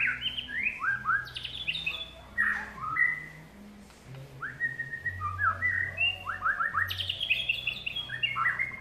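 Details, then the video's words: White-rumped shama sings a varied, fluty run of clear whistled phrases, many sliding up or down and some in quick rising series, broken by short pauses, with a low steady hum in the background. "White Rumped Shama"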